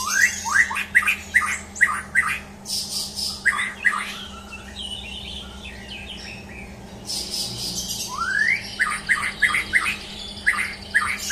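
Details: ['Champion white-rumped shama pouring out fast series of upward-sweeping whistled notes, pausing midway amid noisy crackling bursts before resuming the rising run, over a steady electrical-sounding hum.']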